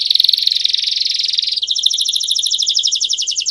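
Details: Campainha canary song, a long teaching song for young birds. A dense, high buzzy roll runs for about a second and a half, then changes to a clearly pulsed trill of evenly spaced notes.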